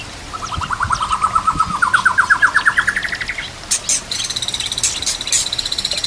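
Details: White-rumped shama song for training other shamas to sing, with nature sounds and trickling water: a fast trill of rapid notes climbing steadily, then high ringing repeated notes.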